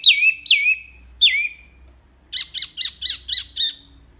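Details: Wambi (mini) giving loud, clear song for training other songbirds. Three swooping, falling whistles are followed after a pause by about seven quick, harsh, squeaky chirps evenly spaced.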